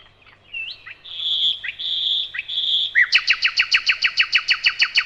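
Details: Nightingale song with several long, steady whistled notes followed by a loud, rapid, regular trill of repeated sharp notes.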